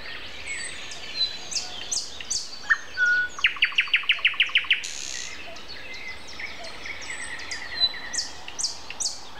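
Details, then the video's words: Common nightingale singing at 7:55 on a Sunday morning, April 29: after scattered high notes comes a loud rhythmic burst of about ten rapid, evenly spaced pulses, and high chirps from other birds fill the background. "Morning concert. Nightingale and Со."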